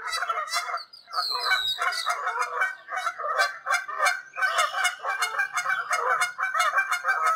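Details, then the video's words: Canada geese in the wild, calling in flight high overhead somewhere in Canada: many overlapping honks form a steady, busy chorus, with a brief dip near the first second and a thin higher squeal early on. "Canada goose sounds in large space somewhere in Canada. Wild goose call in flight."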